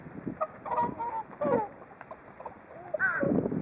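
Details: A flock of whooper swans waiting for food at Hakuchodai Sebat, Onuma and Konuma, Japan: overlapping nasal honking and bugling calls, some rising, with low murmuring background.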